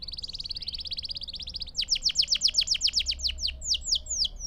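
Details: Singing canary used to train young birds: a quick high trill of short notes, then a rhythmic series of loud downward-sweeping whistles repeated about four times a second, with a faint steady tone below.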